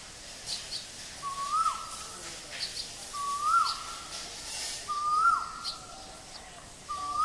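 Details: At Guwahati in Assam, India, a male Asian koel repeats a rising whistled note that ends in a sudden drop, four calls spaced roughly every two seconds, over soft background chirping.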